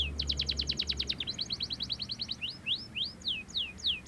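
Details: Song of a Belgian canary: a rapid, high trill of short rising notes that shifts into slower, separate downward-sweeping whistles about three per second, over a low background hum.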